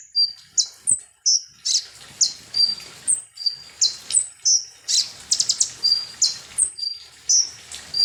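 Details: Lure song of a konin sunbird meant to make birds agitated: continuous run of sharp, very high chirps and short down-slurred whistles, with a few buzzy trilled bursts midway.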